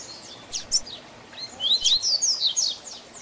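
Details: Double-collared seedeater singing the 'tui tui zel zel' song style, used as a tutor song for teaching young birds; high, thin chirped notes and quick downslurred slides, a short opening phrase then a denser run of sharp notes, with faint background hiss.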